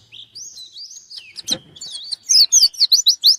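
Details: Seeking an opponent, a pleci white-eye begins with a thin, wavering whistled phrase, then breaks into loud, rapid, high chirps with sharp downward slides.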